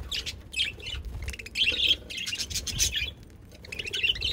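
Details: Budgerigars chattering: a busy mix of high warbled chirps, squeaks and short scratchy notes from several birds, overlapping continuously, with some low rumbling background noise.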